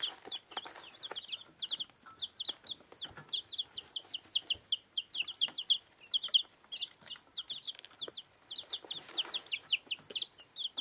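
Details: Week-old dwarf Plymouth Rock and dwarf Rhode Island chicks eating, giving continuous high-pitched cheeping in rapid overlapping bursts, accompanied by faint taps and rustles of pecking at food.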